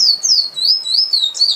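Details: High-pitched finch song, locally emprit, flows continuously as wavering, looping whistles with barely a pause, ending in a brighter, buzzier note.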